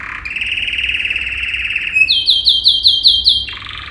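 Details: Yellow male canary singing a training song: a long steady trilled tone, then a quick series of repeated sweeping notes, about seven in a row, ending on a lower buzzy note.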